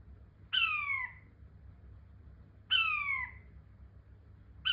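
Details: King quail repeating a descending whistled note about every two seconds, each note bright, slightly buzzy and dropping in pitch, two full notes and a third beginning, with soft low hum behind.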